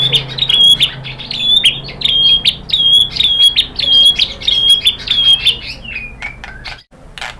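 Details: White-rumped shama singing to provoke other birds: a brisk run of piercing high notes, each a short flat whistle with a sharp attack, rapidly repeated, easing into a few lower slurred notes near the end.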